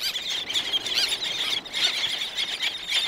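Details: Black-naped terns calling at close range, several birds together with more in the distance: a near-continuous chorus of shrill, squealing cries with no gaps.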